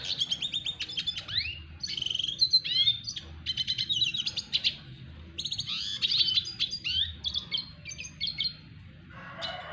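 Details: Red siskin of the double dilute variety practising courtship of a female: dense, continuous twittering song of rapid high chirps, upslurred whistles and buzzy notes, scarcely pausing throughout, over a soft low hum.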